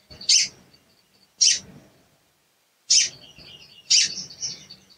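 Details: Sooty-headed bulbul 'cuit' calls, used as a lure to make a stalled bird sing. Four piercing high notes come at uneven spacing, the last followed by a soft warbled trill.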